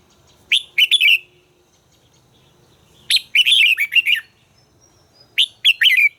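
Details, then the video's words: Red-whiskered bulbul singing during voice training: three loud phrases of bubbly, warbled whistles, the middle phrase longest, separated by quiet gaps of about two seconds. "luyện giọng chào mào hót hay - căng lửa, chào mào hót quá phê"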